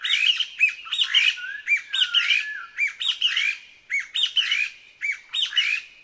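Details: Song of the Taiwan Partridge, a ground-foraging bird of Taiwan's forest undergrowth: squeaky, rapidly chattering phrases with upslurred and down-bent notes, with a drawn-out sliding whistle partway through, in clean recording.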